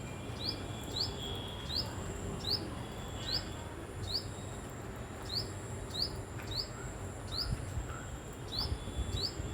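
A tailorbird gives sharp, upswept chirps about twice a second over a steady high insect-like whine and low background rumble.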